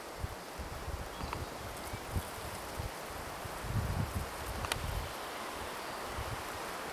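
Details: Steady outdoor wind rush with rustling leaves and low gusty thumps, and no clear animal calls.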